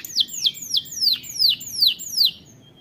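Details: Canary repeating a clear whistled note that sweeps steeply downward, about seven times at a steady rate of roughly three per second, fading at the end; faint noise beneath.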